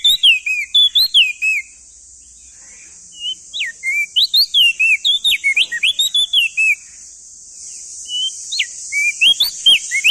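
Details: Crested white-eye, male, endemic to East Nusa Tenggara, singing loudly: bursts of sharp, rapid whistled notes sliding up and down, grouped in fast phrases with short pauses, over a steady high hiss.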